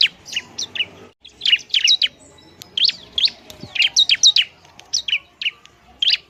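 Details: Bar-winged prinia song meant to rile other prinias: a busy run of high, sharply slurred chirps, varied in pitch, delivered in irregular clusters.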